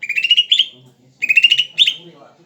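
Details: Greater green leafbird, described as very tame, singing actively: two bright, buzzy trilled phrases, each rising slightly and ending in a sharper upslurred note, about a second apart. A faint low murmur runs underneath.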